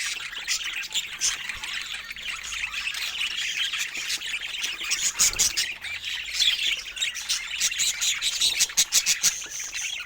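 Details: Many pet budgerigars sharing space with parrots, giving a steady chattering warble; toward the end sharp clicking chirps come in quick bursts above the soft, busy background twitter.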